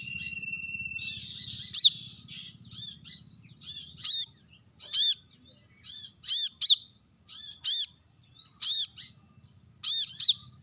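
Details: Sharp rival-challenging calls of a brown-throated sunbird: after a short thin steady whistle, bursts of high, ringing chips come in pairs about once a second, each note arched and harmonically rich; low hum early on.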